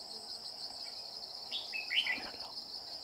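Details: Red-whiskered bulbul during bird trapping with a caged decoy, chasing a wild male with a bell-like voice; a short burst of quick, warbled notes rises and falls near the two-second mark over a steady, shrill insect drone, then a man speaks.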